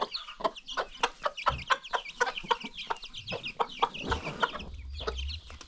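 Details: Free-range farm chickens kept with newly hatched chicks, giving steady, rapid clucks and high chick peeps in overlapping bursts, with low thumping and rumbling noises in places.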